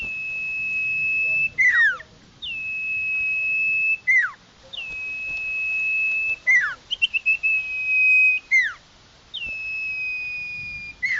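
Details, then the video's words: Lure recording of a common iora: long flat whistles about two seconds each, each ending in a falling slur and repeated steadily five times. "Suara pikat burung Sirtu/Cipoh Suara jernih mantap"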